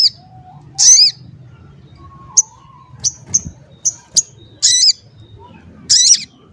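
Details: Sogon calling as a lure to provoke other sogon, wild or kept, into calling. Scattered sharp high chirps and short buzzy notes come at irregular intervals, with one thin lower whistle in between.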